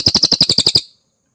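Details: Cililin song used as a training recording for competition birds: a fast burst of about nine sharp, high chirps, evenly spaced over under a second, then silence.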